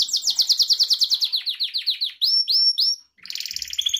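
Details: Gloster canary song used to train pet canaries: a long fast trill of descending chirps, then a few rising whistled slurs, a brief gap and a dense buzzy roll.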